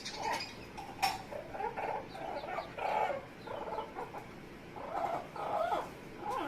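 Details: Pet Amazon parrot making funny noises: a steady run of low, clucking, gurgling syllables, uneven and repeated roughly every second or two, with a few sharp clicks.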